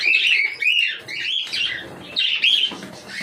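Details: Cockatiel giving loud, scratchy, screeching calls in quick succession, several per second, with a brief gap midway and no other clear sounds.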